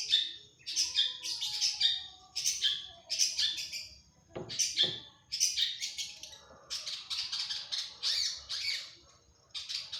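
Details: Long-tailed shrike, kept as a hobby songbird and said to be chatty and full of imitated fills, pours out a dense run of scratchy, buzzy chirps and rasping bursts. A brief low thump sounds near the middle.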